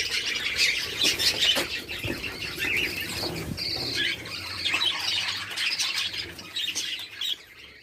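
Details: At a Pakistani budgerigar breeding farm of 100 pairs, the flock squeals and squawks in a lively, high, warbling chorus that fades slightly near the end.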